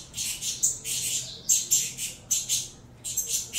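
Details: Saffron finch chicks, captive-bred offspring of a Venezuelan cross, clamouring while being fed: harsh, hissy high-pitched begging bursts in quick irregular succession, some with brief squeaky notes, about 74 per minute.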